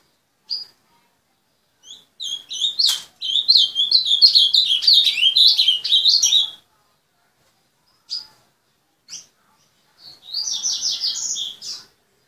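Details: Owned azulão sings a quick warbled phrase of jerky, up-and-down whistles for about four seconds, followed by spaced single chirps and a second, briefer burst of dense twittering notes.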